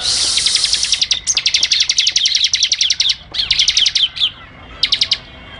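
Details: Ciblek, or Bar-winged Prinia, in ngebren style: a tight, rapid-fire rattle of high sharp notes like gunfire, broken into several long bursts with brief pauses between.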